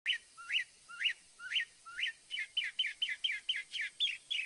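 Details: Northern mockingbird singing: a run of upswept chirps repeated about every half second, then switching to a quicker series of shorter, doubled notes, with no other sounds.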